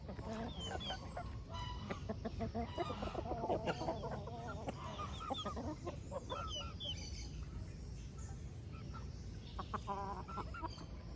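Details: Chickens on a countryside farm at dawn, with hens scratching about: busy overlapping clucks and short harmonic squawks in quick bursts, loudest in the middle, over a steady low rumbling background.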